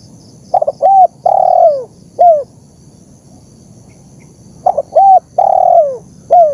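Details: Spotted dove lure recording with two repeated coo phrases about four seconds apart, each a stutter, short coo, long falling coo and clipped last note, over faint background hiss.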